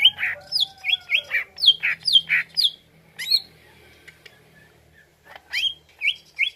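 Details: Greater green leafbird lure song, meant to make a bird answer: bright whistled and slurred notes, some sharply descending, in quick uneven bursts, then a pause of about two seconds before a few more rising-falling whistles.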